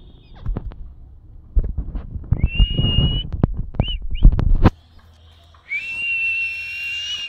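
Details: Plum-headed parakeet giving high, drawn-out whistled notes, a few short ones midway and a long steady one at the end, over heavy knocking and handling thumps.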